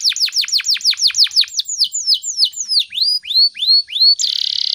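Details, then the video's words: Energetic canary song in the morning, played to stimulate and train other birds: quick falling whistles slow into widely spaced rising upslurs, closing with a harsh, rapid buzzing rattle. "PANCINGAN SUARA BURUNG KENARI GACOR PAGI HARI"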